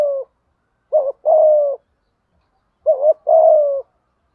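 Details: Decoy spotted dove 'thúc gù' coo for training doves that will not sing; two full phrases about two seconds apart, each a doubled rising note followed by a long smooth coo.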